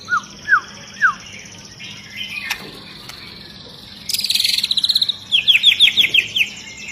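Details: Long-tailed white-rumped shama singing in an agitated state: three loud down-curving whistles, a pause, then a dense buzzy high trill and a fast series of sharp high notes.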